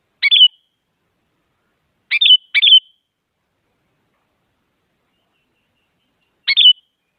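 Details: Female sooty-headed bulbul calling to a male, used to spur quiet birds into singing: four brief chirpy bursts, two of them nearly back to back, then a long pause before a last note; nothing else audible.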